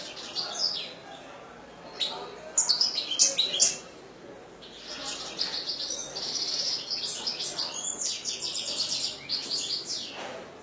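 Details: Kept European goldfinch giving long bouts of song: bright, rapid, twittering and buzzy high phrases in irregular bursts, with a quieter gap near the start and faint background noise.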